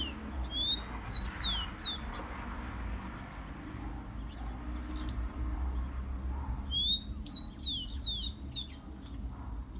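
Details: Rufous-collared sparrow, called tico-tico, giving its song as a warm-up for captive birds: two phrases about six seconds apart, each of four or five sweet downward-slurred whistles ending in faint high ticks.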